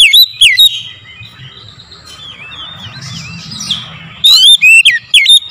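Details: In the morning, an oriental magpie-robin used as a singing lure gives a few loud whistles, then a quieter wavering warble, then a fresh burst of bright, rapid, swooping whistled notes.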